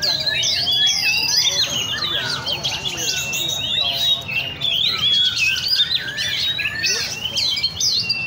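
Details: Chorus of caged Oriental magpie-robins, locally chích chòe than, at a songbird cafe in Le Thi Rieng park, pouring out rapid clear whistles and slurred notes nonstop, several birds overlapping, with a low murmur of talk underneath.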